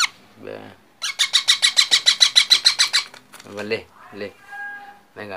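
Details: Young parrot chick giving a fast string of scratchy, buzzy squawks at an even rhythm for about two seconds, with a person's voice talking before and after in a small room.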